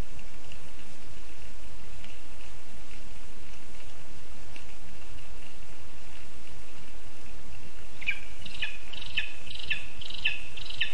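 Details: Hungry lesser spotted eagle chick at a nest in a spruce, Zemgale, Latvia, 19 August 2024, begs with short, high piping calls, about two a second near the end, over steady hiss.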